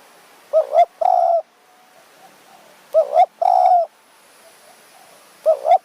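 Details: A wild spotted dove with a small, chatty voice answers a decoy bird one evening in the mountains at Thong Pha Phum, Kanchanaburi, flying and gliding to chase it: a soft phrase every two and a half seconds, two quick coos and a long croo.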